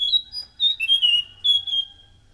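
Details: Loud song of a chestnut-capped thrush used to lure other thrushes: a string of sharp, high whistled notes, some sliding down, in three quick clusters, ending in a long sustained whistle.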